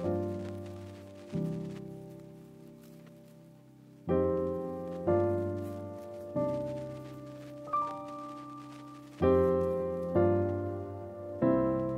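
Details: Slow piano music with chords struck every second or two and left to fade, with no animal sounds.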